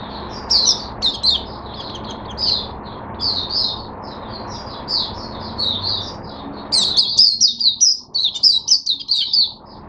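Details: Caged Oriental white-eye, the bird named Hercules, given mixed drinking water, opening into song: rapid run of high, thin twittering notes, continuous then louder and denser in the final seconds, over a low background hum.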